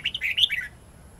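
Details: Red-whiskered bulbul in wild-type voice for tutoring young birds: a short burst of bright, rolling whistled notes, quickly rising and falling, ending in a downward slur, with faint low hum behind.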